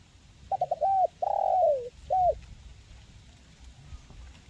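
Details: Crisp, clear cooing of a spotted dove in the "kuk 1" style. Three rapid clipped notes lead into a long sliding coo, followed by one short closing note. A quiet rumbling background follows.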